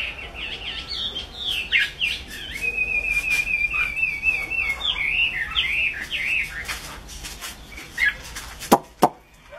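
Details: Chinese hwamei pouring out a continuous, fast, fluid song of twisting whistled notes, including a long trill, followed by a few sharp clicks and knocks.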